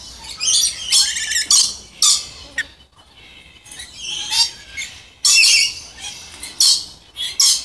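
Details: Pure-subspecies Moluccan red lories producing harsh, grating screeches and squeaky chatter in irregular bursts, with a quieter stretch in the middle.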